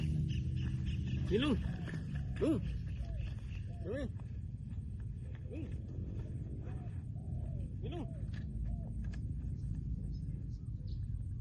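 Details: Trained decoy spotted dove sings loud, low, rounded coos at irregular spacing, about one a second early on, with a man talking, rural background noise and a passing vehicle rumble.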